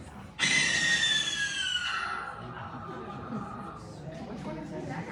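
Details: A captive, non-releasable education Barn Owl at a Michigan nature center gives one long, harsh, hissing screech, not a hoot, lasting about two seconds, sliding slightly downward and fading into quiet room background.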